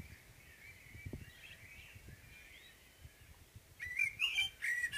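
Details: Morning song of a common blackbird, beginning as a faint, distant-sounding mellow warble, then a louder bright phrase of clear whistles and high twittering notes in the final second.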